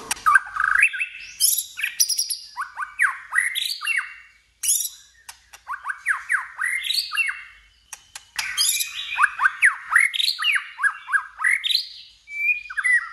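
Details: White-rumped shama stimulated to sing in a fighting contest: loud, rich song of rapid varied phrases, sharp downslurred whistles and harsh chattering notes in bursts, with brief pauses near four and eight seconds.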